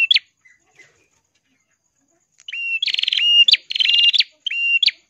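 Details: Ashy prinia, called prenjak kelawu or prenjak kepala merah, singing steadily in a crystal-clear voice, used to train other songbirds: a few sharp chips, a pause, then loud buzzy trilled phrases with sharp upswept notes, repeated three times.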